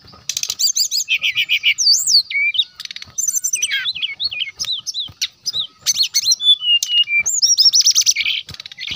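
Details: Brown-chested jungle flycatcher in energetic full song, used as a lure to provoke rival birds: rapid, varied high whistles with slurred rising and falling sweeps, short trills and buzzy bursts in nearly continuous phrases.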